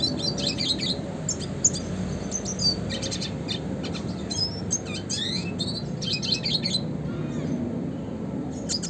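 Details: A classic red siskin sings a lively song meant for songbird training: scattered bright chirps and thin rising whistles run together into fast twittering runs, with steady low background noise throughout.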